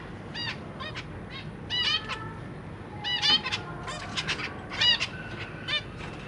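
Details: Zebra finch family, parents feeding three juveniles and three new chicks in a big cage, recorded 23 June 2023. Dense bursts of short, nasal, stacked-harmonic calls, about three per two seconds, irregular and overlapping, over faint low hum.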